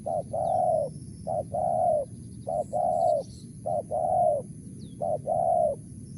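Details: Wild spotted dove calling in the crisp 'mersik' voice: five evenly spaced phrases, each a short note leading into a longer rich coo, about one per second, with faint high chirps and low rumble behind.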